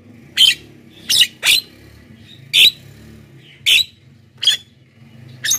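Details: Javan myna, lure and training recording for wild and captive birds; grating, squawky bursts at irregular intervals of under a second to about a second, over a steady low hum in the background.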